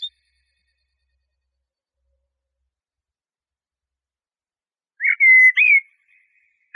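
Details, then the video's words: Eurasian blackbird with a single brief, fluty whistled phrase that rises and falls, followed by a faint trailing note after a long silence. No other sounds are present. "تغريد طائر شحرور (جحمومية)Merle noir"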